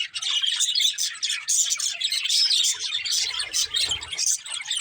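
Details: Many budgies chirping in a dense, overlapping chatter of quick high tweets and warbles, with a brief low rumble in the background late on.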